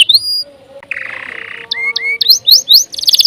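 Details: Canary song used for tutoring other birds, quieter here: a rising whistle, a soft buzzy trill, short flat whistles, then quick upward-flicking notes and a brief trill.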